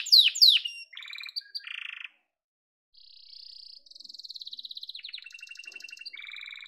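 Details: Yellow domestic canary singing: quick high sweeping notes open the song, then buzzy rattling trills, a pause, and long rapid rolling tours that shift pitch, all high and bright.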